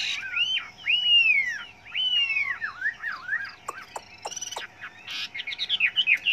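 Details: Chinese hwamei singing a varied song of many voices, used for training other hwameis: loud, rich whistled phrases swooping up and down, followed by a burst of sharp clicking notes and then quick high chirps.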